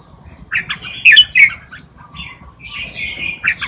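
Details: Red-whiskered bulbul tutor song, wild Malutin style, for young birds to learn: a few loud chirpy warbled notes, then softer drawn-out whistled phrases after a short pause.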